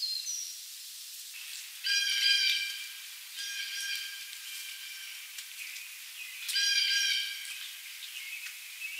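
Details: Rose-breasted Grosbeak at Hartwick Pines, Michigan, USA, 20 May 2023, giving three sharp, squeaky notes a few seconds apart, each a brief harsh burst, over a steady background hiss.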